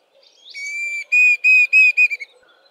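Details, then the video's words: Diederik cuckoo giving its plaintive song, rendered as 'I am a dee-Diederik': a rising slurred opening note, then four pure whistled notes at steady pitch, the last ones shorter and closer together. "Diederik Cuckoo song"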